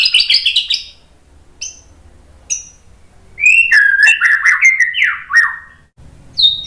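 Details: White-rumped shama song used as a lure to provoke other shamas to answer: high scratchy bursts, two short isolated notes, then a run of loud slurred whistles dropping in pitch.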